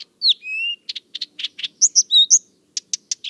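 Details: Blyth's Reed Warbler, a small bird that likes to sing late in the evening and at night in central Russia, gives a quick, varied run of clear slurred whistles and short buzzy, clicking notes, several each second, with no other sounds.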